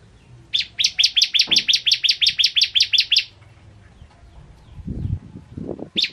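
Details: Crystal bar-winged prinia, caged tutor bird, pours out a fast series of sharp high chips for nearly three seconds, then falls silent; low knocks and rustling noises follow, with one more chip at the end.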